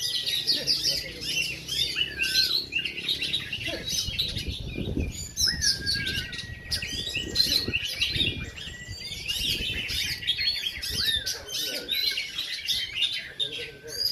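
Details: Oriental magpie-robin (kacer) singing at a weekly practice singing competition in Takengon, Aceh: dense, varied rapid chirps and whistled phrases, some long flat whistles, with several birds overlapping and low background noise from the field.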